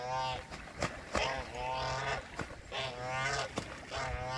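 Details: Canada geese fighting, giving harsh nasal honks in bursts, each with stacked harmonics, repeated about every second, with sharp clicks and low rumbling between calls.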